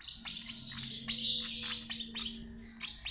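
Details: Young lovebird being fed by an older sibling from the same parents; shrill, high chirps come in quick bursts and short runs, with a steady low hum underneath.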